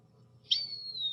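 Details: A Short-tailed Hawk, whose call in the woods signals a nest close by, gives a single eerie, thin, high whistled scream that slowly slides downward and trails off, over a faint low hum.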